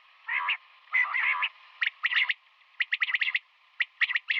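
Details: A female common quail's morning calls: two rasping buzzy bursts give way to rapid runs of crisp clicking notes, bunched in small groups.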